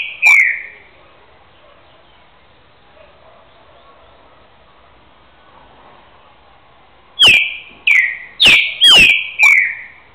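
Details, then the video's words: Green-winged saltator, two years old, a trained boiadeiro repeater from Rio de Janeiro state: one loud downslurred whistle, a long lull with faint low background noise, then a fast run of five ringing descending whistled notes. "trinca ferro BARÃO repetidor boi"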